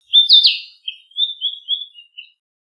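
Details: Song of a Narcissus flycatcher: a strong, slurred whistled opening, then a string of five softer, evenly spaced short whistled notes that trail off over two seconds.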